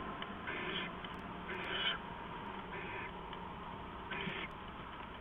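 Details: Owls at the nest before dawn, around 4:30 AM on 15 November 2015, as an adult brings rats to the owlets: several rasping, hissy screeches, each about half a second long, over steady background hiss.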